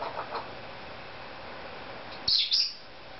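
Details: A pet Cape Parrot indoors gives a quiet stretch, then two loud, shrill, high squawking whistles close together near the end, after faint soft chatter at the start.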